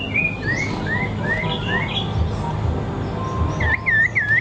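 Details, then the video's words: Birds singing short rising whistled notes in an uneven series, a pause, then three looping sweeping notes near the end, over a steady low hum of background noise. "Birds good singing"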